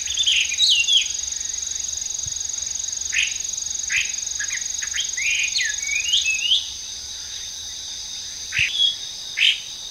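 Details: Hwamei in a Japanese park, an invasive species there, singing from trees: a varied, rapid stream of sharp slurred notes and twisting whistles for several seconds, then a pause and two separate short notes, with a constant high buzzing drone behind.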